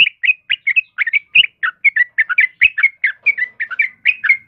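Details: Yellow-vented bulbul, kebo variety, in full lively voice, used for luring and tutoring caged birds; rapid chattering series of short liquid chirps and warbled notes, closely spaced, with occasional soft clicks.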